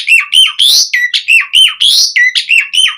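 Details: Singing Asian pied starling, lively gacor style used as a lure: a dense run of rapid, strong, upward- and downward-sliding whistles and squeaks, each note tightly following the last.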